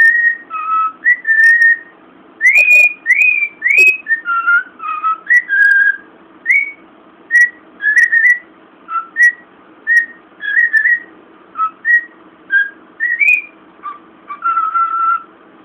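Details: A pet cockatiel whistles the Imperial March, clear pure notes rising and falling in short melodic phrases.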